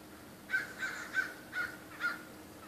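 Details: Five rasping caws from crows harassing a raptor, spaced roughly every third to half second after a brief quiet start, over low background noise.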